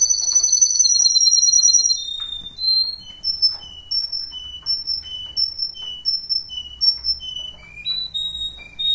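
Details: A Russian canary sings clear, high whistles: a long ringing tone, then quick bright notes repeated about three times a second, ending in rising slurs.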